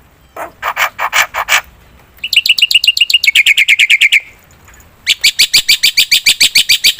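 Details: Black-winged myna singing for use as a bird lure: a short burst of rasping notes, then a fast, even chatter, a pause, and another rapid series of harsh squawks.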